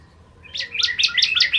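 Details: Indonesian ciblek kristal, a bar-winged prinia, in a brief energetic burst used as training song for songbirds: six quick, bright, upward-flicking chips packed into just over one second.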